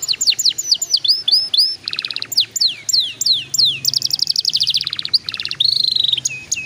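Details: Canary song played as a lure to get young canaries singing quickly: fast series of bright downslurred whistles, then pulsed buzzy trills and quick rolling tours of repeated notes, ending in a long wavering whistle.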